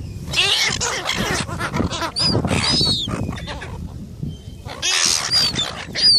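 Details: Several gulls fighting over food: harsh, raspy squawks in dense overlapping bursts, with thin high squeals cutting through around the second and fifth seconds, and a short lull in the middle.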